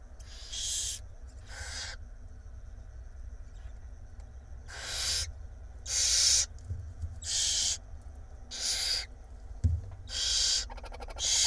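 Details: Barn owl nestlings, five in a nest box in Israel, fed by the female during the night of 7 April 2021; harsh breathy hisses in bursts of about half a second to a second, repeated irregularly, over a low steady hum.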